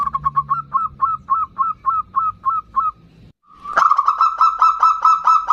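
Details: Local zebra dove in strong, lively voice singing the ndudut variation, used as a lure to call in and provoke a rival: a quick run of about a dozen short, clipped cooing notes, a brief gap, then a louder, richer burst of rapid staccato notes.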